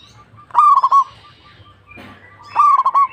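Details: Local zebra dove singing steadily. Two bubbling coo phrases, each a sharp lead-in followed by three or four rapid rolling notes, separated by about two seconds of low humming background.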